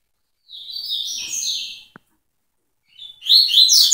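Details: Double-collared seedeater delivering tui-tui style song: a long run of high whistled, stepped notes, a single soft click, silence, then another energetic twittering phrase begins.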